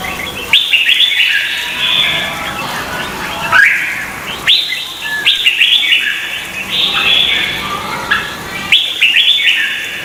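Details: Red-whiskered bulbul in a singing contest, used as decoy song to train birds, Vietnam: bursts of bright warbled phrases between 2 and 4k, arriving in clusters every few seconds with brief pauses.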